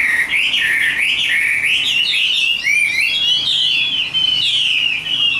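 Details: Continuous bright warbling from a Chinese hwamei held in a cage, with wavering, slurred whistles that climb and dip without pause for over five seconds.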